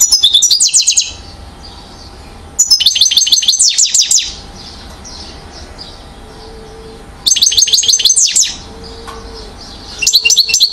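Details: Year-old European goldfinch recorded in Mouzaia, Algeria, in 2012, singing short bursts of fast, high, twittering notes about a second long, separated by pauses of a few seconds, with faint low background hum.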